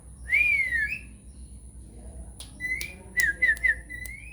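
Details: Nias hill myna lure song aimed at making silent mynas answer: a clear arched whistle, then after a pause sharp clicks with short level whistles and three quick descending whistled notes.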